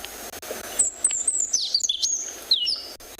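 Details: Sabota lark played back in South Africa, mimicking other birds in a long continuous stream; high thin whistled phrases sliding and zigzagging, with quick chirps and tonal notes in a rapid varied run.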